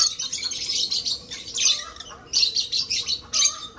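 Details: Aviary-kept breeding lovebirds chatter nonstop in a dense stream of high, buzzy, shrill chirps, rising into louder bursts near the end.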